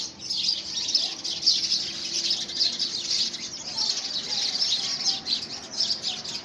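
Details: Several house sparrows squabbling over a nest box built for them, early February 2017: an unbroken, busy stream of shrill chirps and twitters from many overlapping birds.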